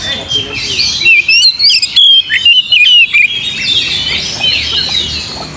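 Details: Oriental magpie-robin singing, used to provoke other birds to sing: a loud series of clear whistled slurs and sharp chips in the middle, with softer warbling before and after.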